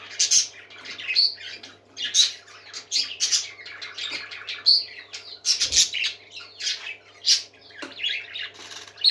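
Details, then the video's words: A group of parakeets chattering busily, with dense warbled chirps, squeaky whistles and harsh squawks overlapping almost without pause, and a soft constant hum underneath. "Happy Parakeets Singing"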